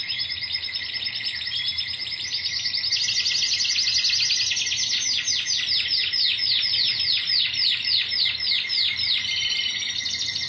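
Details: Timbrado canary singing, Greece, 2009 team: a buzzy trill swells into a long run of rapidly repeated swooping notes, with a faint whistled tone underneath.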